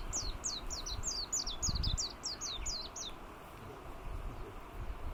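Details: Warbling white-eye recorded in the Yanbaru forest of Kunigami village, northern Okinawa, on 25 March 2022, giving a fast run of about a dozen high, sharply falling chirped notes over three seconds, then quiet background hiss.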